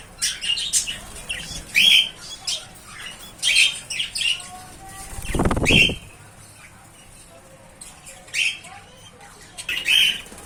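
Budgerigar chicks give short, raspy chirps in scattered bursts, with a brief rustling noise midway.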